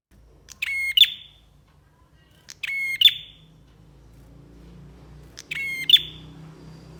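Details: Persistent singing from a bar-winged prinia, made as a training recording for songbirds: three harsh, nasal, harmonic-rich buzzes, each closing with a bright high note, spaced roughly two to three seconds apart over a low steady hum.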